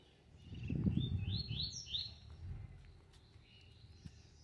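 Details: A caged Double-collared Seedeater, one of three males set facing each other at about 7:40 in the morning, gives a quick run of high, slurred notes, about four per second, over low rumbling background noise.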